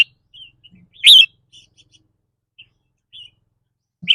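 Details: Cage-kept red-whiskered bulbul during mood-dependent rapid trilling: one loud, rich, falling whistled note in the middle, soft scattered chirps around it, and a final note cut off at the end.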